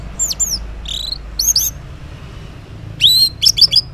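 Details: Orange-headed thrush morning song used to coax mute males to respond: varied high whistled and buzzy phrases, a gap of quiet, then a cluster of sharp rasping notes.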